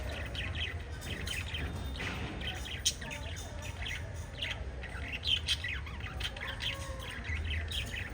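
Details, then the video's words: Five lovebirds of a parrot family fluttering and chirping: dense overlapping high chirps and squeaks, a busy continuous chatter over a steady low background hum. "Five Little Lovebirds Chirping Sounds"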